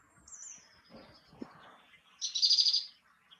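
A great tit gives a thin, high, falling note, then a quick half-second burst of about seven bright, repeated notes. Otherwise the background is quiet.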